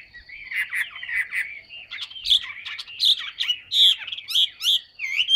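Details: Large, fully tame Chinese hwamei in captivity, known for frequent singing; fast bubbling warble of bright whistled notes, punctuated by loud ringing accents roughly every half second to second.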